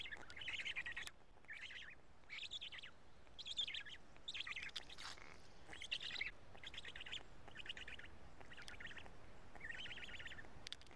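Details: Black stork nest in Karula during a midday feeding on 31 May 2017, chicks eating fish pieces; about ten separate raspy, stuttering bursts, each roughly half a second, spaced fairly evenly with occasional clicks.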